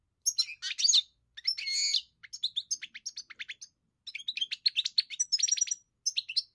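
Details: European goldfinch singing long runs of fast twittering, buzzy rasps and clear chirps, with a brief high whistled note near the end; clean, quiet setting.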